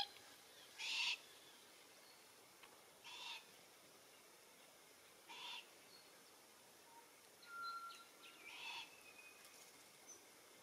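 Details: Glossy Black-Cockatoos (Calyptorhynchus lathami lathami) in Capertee Valley near feed trees with Allocasuarina verticillata seeds. Five short rasping, wavering screeches come roughly every two seconds against a quiet, faintly hissing background, and one brief thin whistle sounds between them.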